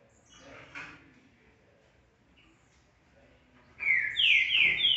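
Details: Green-winged saltator returning to song after moult, marking territory since early morning: a loud burst of clear, strong whistled notes near the end, after a quiet stretch with faint speech and background murmur.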